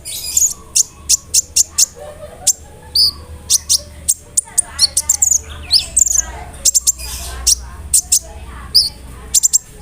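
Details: Sunbird song for stirring other sunbirds into reply: bright, very high chirps and quick twittering phrases, repeated roughly every half second, with short rattles and a steady low hum underneath.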